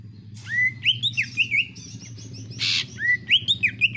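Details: Greater green leafbird kept at home, singing bright arched whistles repeated in quick succession, interrupted once by a harsh burst of noise.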